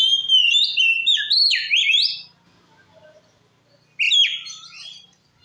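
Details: Oriental magpie-robin in full song, used to provoke other magpie-robins: rich whistled phrases with rising and falling slurs for two seconds, a pause, then another bright whistled burst.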